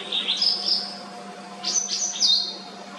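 A White-browed wagtail sings clear, high whistled phrases and quick chirps, with a short trill, rising and falling over a few seconds against a faint steady hum.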